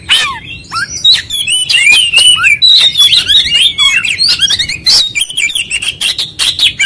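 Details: Oriental magpie-robin singing persistently, showing off its full repertoire: a dense rush of varied whistles, sliding notes and harsh chattering bursts in quick succession, with short pauses between loud phrases.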